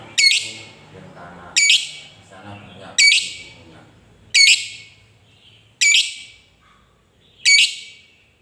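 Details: Lovebird giving a long ngekek chatter used to prompt other lovebirds to sing: loud harsh high squawking bursts repeated about every one and a half seconds, with faint low murmuring between bursts.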